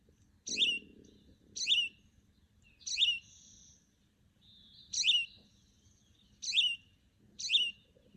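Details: A Hutton's Vireo in winter on the Sonoma Coast, Northern California, repeats one short, bright, slurred note about every second, over and over, with a faint murmur of a voice underneath.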